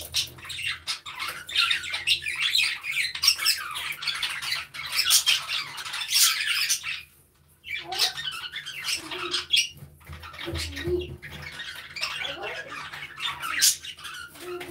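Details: Budgerigars (Melopsittacus undulatus) in an aviary chatter continuously with high, scratchy warbles, chirps and squawks while playing and interacting.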